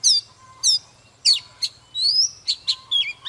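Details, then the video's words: Excited adult Oriental magpie-robin, caught from the wild, in morning song while dancing: sweet descending whistles, then a long rising whistle and quick chirps in brisk bursts over a soft low hum. "Chòe than Già rừng hót múa CỰC ĐỈNH"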